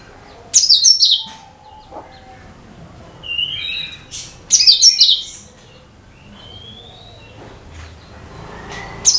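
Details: A cucak kinoi sings as a lure for other bird species: two loud, high, sputtering phrases dropping in pitch about four seconds apart, with short whistles and clicks between them.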